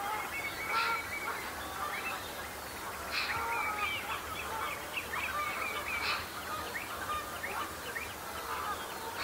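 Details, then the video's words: A flock of common shelducks at the start of the breeding season, sparring to settle the pecking order and impress potential mates. Dense, overlapping nasal honks and chattering calls, with louder bursts near the first, third and sixth seconds. "Shelduck Sparring"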